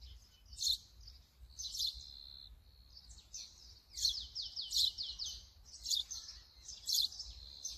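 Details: Brown-eared bulbul calling: loud, harsh, high squealing notes with descending buzzy slurs, given in bursts about once a second, over a quiet low rumble.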